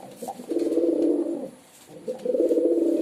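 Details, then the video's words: Two low, warbling pigeon coos, each about a second long, separated by a short quiet gap. "Pigeon Sound"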